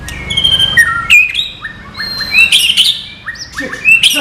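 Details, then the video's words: Murai batu, the white-rumped shama, giving non-gelembung filler song: crisp downslurred and level whistles, then a bright rising whistle that ends in rich warbling, with a low murmur underneath. "MATERI BURUNG MURAI BATU NON GELEMBUNG"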